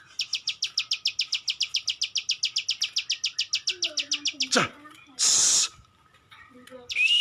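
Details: Ciwah, the plain prinia, delivering about four seconds of quick, regular high clicks, then a sharp downward sweep, a burst of hissing noise and the start of a whistled phrase.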